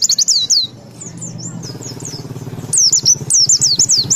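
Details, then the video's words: White-eye (Zosterops) singing in the ngalas ngeroll style: bursts of rapid, high, swooping whistled notes at the start and end, with quieter chatter in between over a continuous low engine-like drone. "Pleci Gacor Ngalas Ngeroll (Zosterops)"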